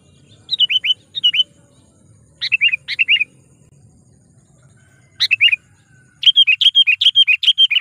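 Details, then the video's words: Sooty-headed bulbul used as a lure to call wild rivals: clipped chirped phrases of falling slurred notes repeat in small bursts, then break into a fast, steady string of about a dozen sharp chirps at the end, with a quiet low background hum. "suara panggilan kutilang pikat"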